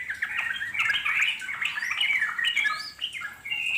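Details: Wild sooty-headed bulbul (trucuk) giving long, continuous ngeropel chatter meant to make wild birds reply; a busy stream of liquid, warbled notes with quick upward and downward slurs, ending in a clear higher whistle.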